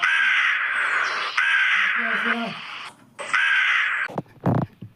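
A crow gives three long, harsh, hoarse caws in quick succession, followed by a few shorter clipped notes and a brief human voice.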